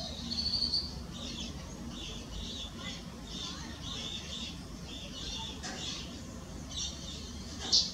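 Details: A pair of Blue-and-white Swallows in Costa Rica calling while preening: a steady run of short, buzzy, high twitters repeated about every half second throughout, ending with a sharp louder chip, over a low background rumble.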